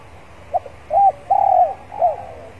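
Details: Spotted dove kept as a decoy bird, warming up in a yard before singing: a short soft note, then a hoarse coo and a longer, drawn-out rolling coo, followed by a final falling coo, low and mellow over faint background hiss.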